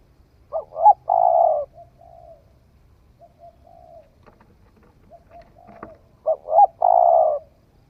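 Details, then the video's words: Spotted dove that has just begun cooing, tried out in the forest, gives two phrases of two short notes and a long purring coo. Quiet soft coos and a sharp click come between them. "Tiếng chim cu gáy mới nổi thử rừng"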